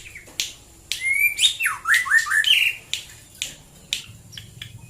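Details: Morning song of a white-rumped shama in Prambanan, Klaten, Central Java: a rich burst of varied whistles, upslurs and quick downward swoops for about two seconds, flanked by crisp clicking notes and a soft low hum.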